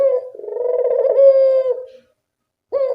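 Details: Single long Barbary dove coo, opening with a throaty stutter that swells into a steady, low rolling tone before fading, then the start of another coo; used as a lure to prompt a lazy dove to call.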